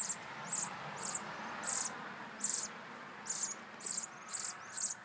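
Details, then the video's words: Nestling sparrows, two of them, begging in the nest while they wait for their mother to bring food. Bright, high-pitched chirp bursts follow each other quickly, around ten in five seconds, above a low background hiss. "Baby Sparrows in Nest"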